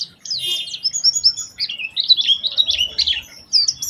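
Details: Lure song of an Oriental white-eye to encourage other white-eyes to sing: high warbling whistles and buzzy trills flowing in a long twittering phrase, ending with a few bright chirps.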